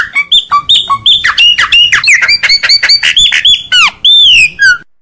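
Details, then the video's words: Chopi blackbird (graúna) singing in the mateiro baiano style: a dense, continuous run of clear whistled notes, sharp upslurs and ringing downslurred phrases, ending in a long, loud falling whistle and a short, clipped note. "GRAÚNA (PRETO) CANTO MATEIRO BAIANO MUITO LINDO"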